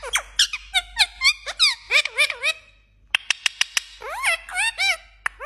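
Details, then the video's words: Pet parrot talking in Pashto and imitating mobile ringtones and message tones indoors: rapid string of sharp clicks and whistled, harmonic notes sweeping up and down, with a brief pause midway before more quick clicks and slurred whistles. "parrot so Cute New phashto Talking video"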